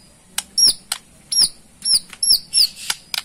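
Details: Borneo white-rumped shama ketrekan, a rattle used to draw a response: high thin downslurred whistles alternating with dry clicks, about three phrases per second, in a quiet room.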